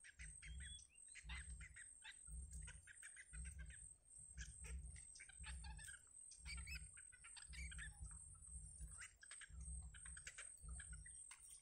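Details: Yellow bittern chicks in a wild nest as their mother feeds them. Short, sharp chirps and clicks come in irregular bursts over a steady low rumbling hum and a constant high hiss.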